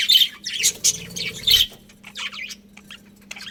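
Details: Colony of budgerigars with loud squeaky chirps early on, a brief low rumble mid-clip, then softer scattered twittering fading out over a faint hum.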